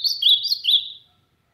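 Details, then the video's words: Ultramarine grosbeak singing strongly in the sertão: the tail of a phrase, a few quick slurred whistles dipping and rising, fading out within a second. "Azulão cantando forte"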